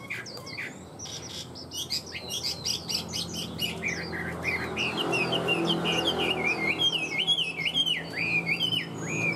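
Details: A tame Chinese hwamei sings: rapid high chips and slurs at first, then repeated loud, looping whistled notes rising and dipping in a rolling pattern, with a steady background hum.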